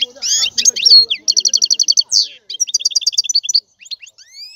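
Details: European goldfinch singing a fast, high, liquid twitter with long runs of evenly spaced trilled notes, buzzy sweeps and short pauses between phrases.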